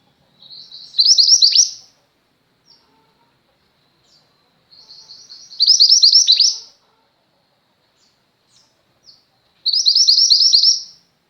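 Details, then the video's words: Female mountain mantenan white-eye, singing continuously as tutor for pet white-eyes: three phrases about four seconds apart, each a quiet lead-in swelling into a loud, rapid, high chirping twitter. "mantenan gunung betina gacor, cocok untuk masteran burung pleci anda."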